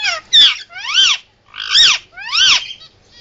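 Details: Pet Indian ringneck parakeet making emergency sounds: four loud, grating squawks rising then falling in pitch, spaced roughly every half to one second, with a faint softer note at the end.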